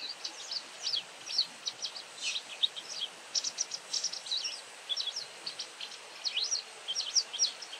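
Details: White wagtail calling repeatedly: a steady series of high, quick chirps and twisting slurred notes, somewhat softer and set against a faint hiss, running without a real pause throughout.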